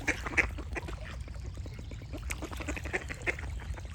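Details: Sharp, nasal duck quacks burst out in quick clusters, louder near the start and end, while faint bird song and low rumble continue underneath.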